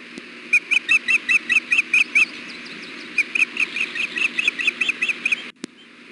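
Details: Female osprey fussing on the nest in hot June weather, wanting to be fed: two runs of sharp, high whistled chirps, about eight quick notes each, repeated roughly twice a second, with a steady hum in the background.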